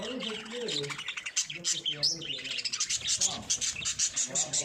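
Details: Breeding lovebirds chattering in rapid, high-pitched squeaky chirps that pulse several times a second, growing denser toward the end, with a low murmuring voice-like sound underneath at the start.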